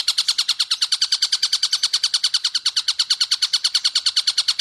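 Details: Stork-billed kingfisher giving a clear, fast, long series: harsh, sharp notes repeated steadily about six times per second for the whole stretch, with no other sounds.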